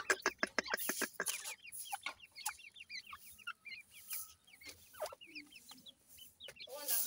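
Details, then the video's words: Dakhni teetar, a francolin, with male and female voices compared: a sudden burst of dry clicks, then an irregular series of short, sharp, upslurred chirps at fairly high pitch over faint background hiss. "dakhni teetar male female difference,voice checks titur"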